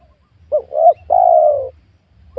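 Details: Spotted dove calling during luring of wild doves at a young oil palm plot. One full phrase: a short coo, a second wavering coo, then a long, even, low coo. The next phrase begins at the end.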